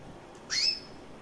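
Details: One-year-old female recessive white canary with red-factor eyes giving a single sharp, high chirp that rises quickly and then trails off, against quiet background.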